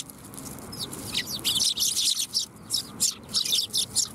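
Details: Sparrows coming for food at a Tenmangu shrine on 7 January 2021: bright, sharp chirps in quick bursts, with about a dozen notes spaced roughly every third of a second in the second half.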